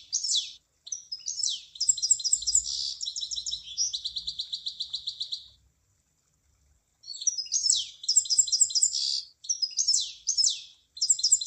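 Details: A high-pitched munia song of rapid chattering and evenly pulsed buzzy trills lasting about five seconds. After a silent pause, more bursts of twittering phrases follow.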